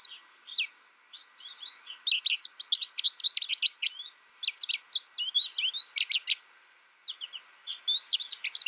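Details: American goldfinch raised alone in its first year and tutored by a recording, starting with a few scattered chirps, then a dense burst of high twittering and warbled notes, a short pause, and more chirping at the end.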